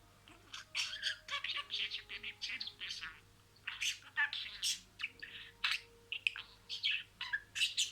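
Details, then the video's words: Domestic budgerigar chattering imitated words in a busy run of buzzy, squeaky syllables and sharp chirps, one short pause near the middle, faint background hum. "MUHABBETKUŞU KONUŞMA SESİ"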